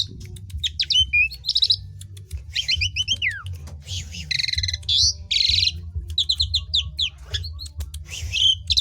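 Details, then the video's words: Asian pied starling singing, its song used to stimulate other birds that sing too little; a lively, varied run of sharp chirps, rising and falling whistled slurs and buzzy, harsh rasping notes in quick bursts, over a steady low hum. "PANCINGAN JALAK SUREN UNTUK BURUNG KURANG GACOR"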